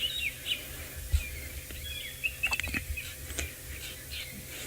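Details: Drongos in Africa on 11 December 2018 give scattered sharp, metallic chirps and twangy notes, shouting at a Wahlberg's eagle perched in the open nearby, over a steady low engine rumble and a few clicks.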